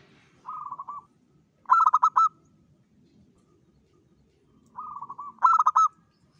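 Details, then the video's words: Local zebra dove singing vigorously at dawn: a soft rolling purr, then a louder stuttered phrase of about five clipped cooing notes, the pattern repeating twice with a quiet gap and a low rumble beneath. "PANCINGAN SUARA PERKUTUT LOKAL GACOR SUBUH"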